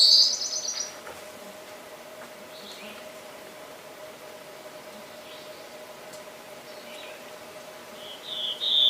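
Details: Black-throated blue warbler (Setophaga caerulescens) gives two high, buzzy song phrases about eight seconds apart, the second rising at its end, over a steady low hum.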